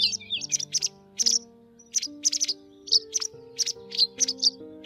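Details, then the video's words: White wagtail calls used as a lure for netting migrating birds: sharp, high chirps in short bursts, repeated about every half second, over steady low musical tones. "Tiếng Chìa Vôi Trắng"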